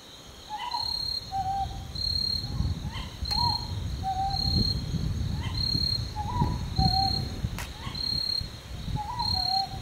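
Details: Two-note hoo-hoo of a Northern boobook of subspecies totogo, seen foraging and preening, recurring in steady pairs above a continuous shrill insect drone, with low rumbling background noise.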